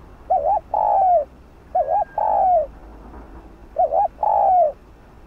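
A spotted dove gives soft, low coos in phrases of a short double note and a longer falling coo, repeated about every two seconds.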